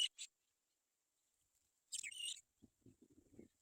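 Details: Black-winged kite birds waiting for their mother to find food: two quick rasping squeals, a pause, then a longer wheezy, grating scream, followed by faint low shuffling sounds.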